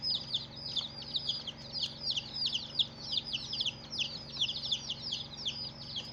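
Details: Colourful baby chicks calling together, a crowded stream of loud, high, falling peeps with uneven rises in volume, over a quiet steady hum.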